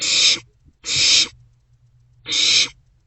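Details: Night-time begging of barn owlets in a nest box on 27 March 2024 as they share a vole. Three harsh, drawn-out hissing screeches in quick, uneven succession.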